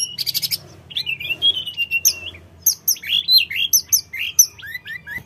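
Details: Sooty-headed bulbul song played as a lure to draw answering birds: a buzzy burst, then a sustained whistled note, followed by a quick series of short upslurred and downslurred chirps repeated several times a second.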